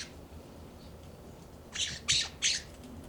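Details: Immature California scrub jays calling in a yard in Pacific Grove, California: after a quiet opening, three harsh, raspy squawks come in quick succession during the last second and a half, each a short noisy burst.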